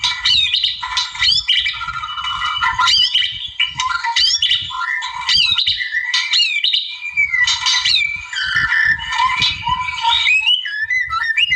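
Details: Energetic song of a wild white-rumped shama aimed at provoking rivals: rapid sequences of rising whistles, harsh chips and melodic slurs, continuing without pause and closing in sharp high twitters.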